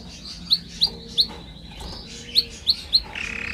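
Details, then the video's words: Canary in a training recording giving sharp, high single chirps spaced at irregular intervals, with faint softer twitters and a low hum in the background, ending in a short buzzy trill. "Canary singing"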